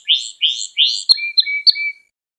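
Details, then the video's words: Canary training song for young canaries: three slurred, rich chirps about every 0.35 seconds, followed by three sharp clicks with short whistled notes and a thin steady whistle. "Kanarya Ders Ötümü ve Kanarya Sesi"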